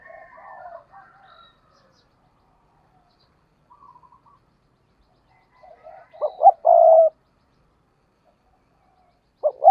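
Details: Decoy spotted dove in intense "gù" cooing; soft scattered notes first, then a full phrase of two brief notes and a long steady coo, with the start of another phrase at the very end.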